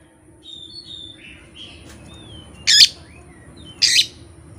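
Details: Oriental magpie-robin singing its learned repertoire alone, with no tutor recording or rival: soft, thin whistled warbles over a steady background hum, broken by two loud, harsh raspy bursts about a second apart.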